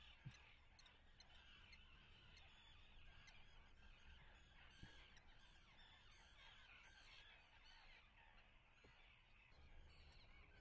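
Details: Common terns nesting at Atlit on 10 June 2010: a dense chorus of harsh, overlapping calls from many birds, with scattered sharp clicks and a steady low rumble underneath.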